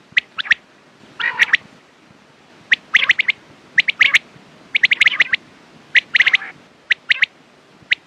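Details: Quail calling, offered for morning and night-time use: bright, abrupt clicking notes in tight clusters of two to four, repeated steadily, with a couple of short raspy, buzzy bursts mixed in.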